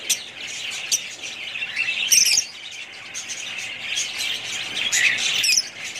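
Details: Constant high twittering and warbling from a group of budgerigars, with a louder burst of squeaky notes around two seconds and more chirps building again after four seconds.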